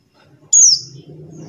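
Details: Single call of a buxtoni-type white-eye, used as a lure for white-eyes that have stopped singing: one loud, thin, high note gliding smoothly downward, followed by low murmuring background noise.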